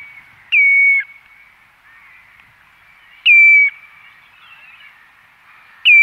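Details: Common redshank calling close by at the Ythan Estuary, Aberdeenshire, with gulls and waders in the distance: loud, clear piping whistles that drop slightly in pitch, given about every 2.7 seconds over a steady hiss of distant birds.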